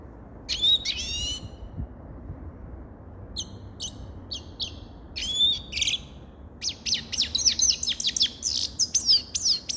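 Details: Grey-crowned goldfinch song of high, thin notes: a short opening flourish, scattered sharp chirps, then a fast, dense run of twittering notes over the last three seconds.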